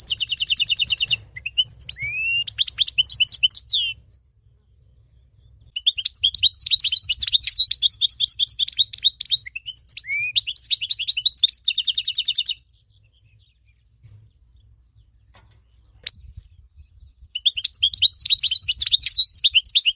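A goldfinch mule sings long, bright phrases of rapid twittering and tinkling trills, broken by brief pauses.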